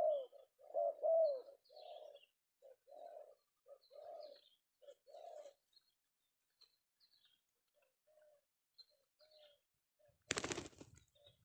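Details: Penguku-style male tekukur, or spotted dove, in Indonesia, caught in the afternoon: a run of throaty coos that fades into scattered faint notes, ended by a sharp loud knock; distant small-bird chirps.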